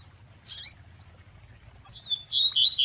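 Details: Double-collared seedeater with female call to excite a male, tui tui style: one sharp, high chip, a pause, then a thin, wavering, high whistle that rises and falls, over a soft low hum.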